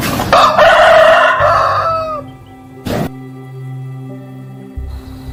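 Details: Chicken crow: a strong, drawn-out, rich crow over the first two seconds, ending in a slight downward slur, then steady droning music tones with a sharp noise burst near three seconds.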